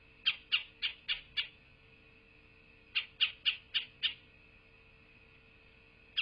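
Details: Bald eagle calling at its nest in southwest Florida, midday 8 November 2023: two chattering series of five sharp high piping notes each, roughly three seconds apart, a single note at the end, steady hum underneath.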